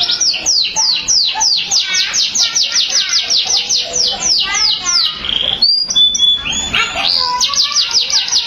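A canary sings a fast, continuous run of high, bright trills and rapid downward-sweeping notes, shifting into clear whistled phrases midway.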